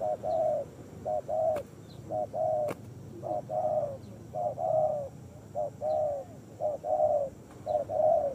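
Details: Wild street spotted dove in Indonesia, living around a watering post and targeted by bird luring; low mellow cooing phrases, short notes then a longer rolling coo, repeated steadily about once a second, with faint background hiss.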